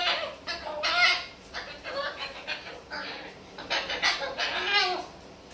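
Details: Pet Moluccan cockatoo chattering: a string of harsh, rasping phrases with warbling, bending tones, some short and clipped, others drawn out, separated by brief quiet gaps.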